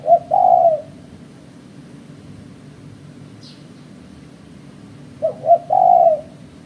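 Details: Spotted dove call used as a trapping lure. A long low coo ends one phrase, then after a pause a full phrase follows: two short coos and a drawn-out coo. A single faint high chirp comes between them over soft hum.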